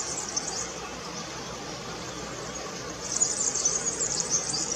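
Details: Singing European serin. A high sizzling jingle plays at the start, a steady hiss follows, and then another rapid, tinkling, very high-pitched burst runs to the close.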